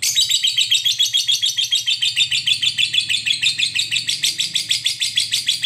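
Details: Lovebird chatter meant as training audio to make other lovebirds sing: a fast, dense, buzzy high chattering run, pulsing about three times a second in steady bursts throughout.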